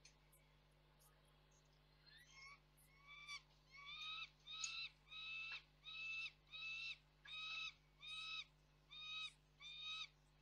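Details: Juvenile peregrine falcon screaming off-frame at a nest site in Reda, Poland, on 3 July 2024. About nine harsh, harmonic screams of about half a second each, repeated roughly every 0.8 seconds after a quiet start, over a steady low hum.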